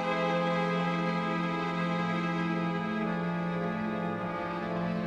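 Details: Soft, sustained background music with held tones and a gentle pulse throughout, and no animal voices.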